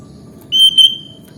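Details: Sooty-headed bulbul, a songbird native to Java and Bali in Indonesia, giving a single clear, high, steady whistled note lasting about half a second.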